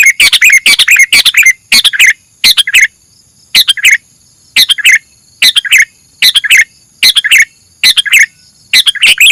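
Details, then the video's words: Sooty-headed bulbul singing, the recording used as a lure for catching birds; bursts of chattering, clicky chirps with brighter whistled notes, each burst about a second long, separated by short pauses, repeated steadily. "suara burung kutilang buat mikat"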